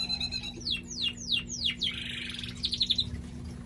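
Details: Male pet canary song. Four loud, bright downward-swept whistles about a third of a second apart lead into a dense buzzy stretch, then a quick high trill of short repeated notes, over a faint low hum.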